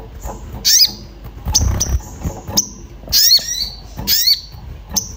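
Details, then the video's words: Orange-bellied flowerpecker calling agitatedly in search of a mate, meant to lure birds into singing: scattered thin high ticks, then two louder clusters of sliding chips near the end, over faint low rumbling. "Cuit cuit sogon emosi mencari teman untuk pancingan bunyi"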